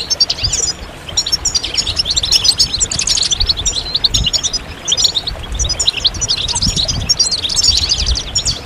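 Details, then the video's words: Chorus of several European goldfinches used to encourage moulting males to sing again, with mating and readiness calls. Continuous bright, rapid twittering and chirps, densely layered throughout, light background hum. "ستستة وبتبتة جماعية للحسون فعالة في تحفيز الحسون على الخروج من غيار الريش بسرعة"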